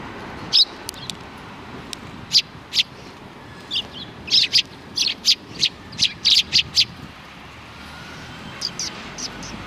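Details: Sparrows chattering behind a civic cultural hall on 17 January 2020: sharp high chirps come singly at first, then in a lively, nearly regular series about every half second, tapering off at the end.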